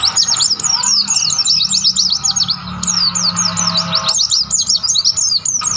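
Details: Mountain white-eye singing energetically in the wild on Mount Lawu, Tawangmangu. A continuous high, tinkling twitter of fast downslurred notes, pausing briefly around four seconds before resuming, over a soft low hum.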